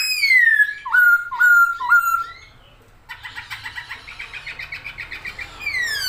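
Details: Chinese hwamei singing busily and spreading its wings in a cage: three loud downslurred whistles, a short pause, then a quick buzzy repeated chatter of about a dozen notes ending in a falling whistle.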